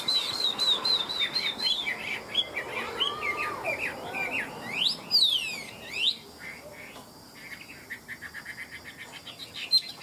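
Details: Chinese hwamei, tame and known as a good fighter, singing in the "ngũ trường" five-part style: a fast stream of high chirps and twitters, then steep upward whistled sweeps and softer scattered notes.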